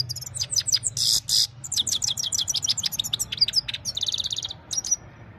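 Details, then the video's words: Himalayan goldfinch singing in the evening, recorded on an Oppo A76 mobile phone: a rapid, high twittering run of varied chirps, trills and quick slurred notes, broken by two harsh buzzy bursts, over a faint low hum. "Gold finch simple singing this is really amazing bird song"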